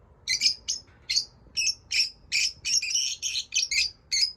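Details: Pet lovebirds chirping steadily: about a dozen short, high, slightly buzzy chirps in an uneven series, roughly two to three per second, over a quiet background.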